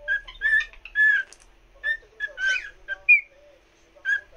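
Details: A cockatiel serenades another cockatiel with warbling whistles, wavering held notes and quick upward slurs, broken by short gaps and a final rising whistle.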